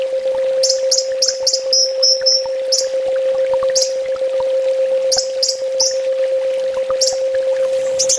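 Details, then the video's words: Kolibri ninja sunbird, full tembak master song: a quick string of sharp, high buzzy notes, then scattered single high chips and short doublets, over a continuous low hum. "Suara masteran burung kolibri ninja full tembak"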